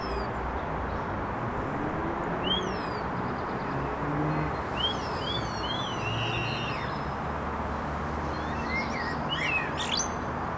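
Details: Trio of common starlings in song, giving a run of short rising-and-falling slurred whistles, then a burst of high clicks and rattles near the end, against steady low-pitched background noise.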